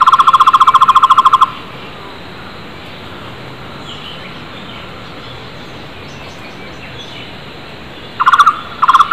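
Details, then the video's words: Flame-fronted barbet in the wild, among other wild birds: a rapid hollow trill of evenly spaced pulses opens, then a long stretch of faint background sound, and the trill returns in short bursts at the end. "Takur tohtor gacor keras di alam bebas"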